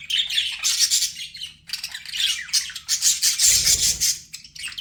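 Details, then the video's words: Several pet budgies chatter continuously, a dense wash of scratchy high chirps and squawks in long bursts, with a short low knock about three and a half seconds in. "BUDGIE SOUNDS"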